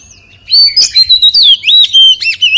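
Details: After a brief quiet start, an Oriental magpie-robin sings loudly in forest-voice style, a dense stream of sweet whistles, sharp up-and-down slurs and quick twisting notes.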